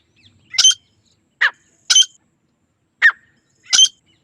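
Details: Grey francolin, male and female, trading single spaced notes: alternating high shrill squeaks and lower harsh squawks, each about a second apart, in a quiet setting.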